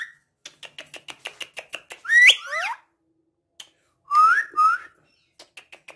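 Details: Pet parrot ticking out a string of quiet, evenly spaced clicks, interrupted by a loud twisting whistled phrase, then two bright rising whistles before the clicking resumes.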